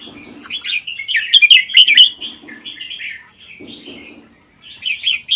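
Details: Wild-caught Vietnam–Laos red-whiskered bulbul, caged for one year and singing in the 'double' style, played to rouse other bulbuls. A loud, tumbling warbled phrase rises to a peak, then fades into softer chatter under a constant high whine.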